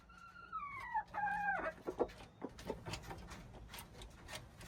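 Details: Junglefowl recorded on March 19, 2025: a harmonic two-part crow, each phrase sliding slightly downward, lasting under two seconds, followed by scattered clicks, knocks and rustling noises.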